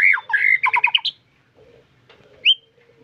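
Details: Shama in song: a quick burst of loud fluttering whistled notes lasting about a second, a pause, then a single short rising whistle.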